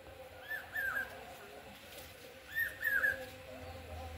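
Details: A common hawk-cuckoo (Hierococcyx varius) calls on a morning during Durga Puja, calling repeatedly: two short phrases of about three shrill whistled notes, roughly two seconds apart, over a low background rumble.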